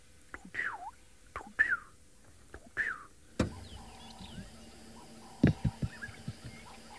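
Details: Black-headed Oriole on a sunrise game drive in Juma Private Game Reserve, western Greater Kruger, 10 March 2024: three liquid, downward-slurred whistles about a second apart, then a thump and faint background birds.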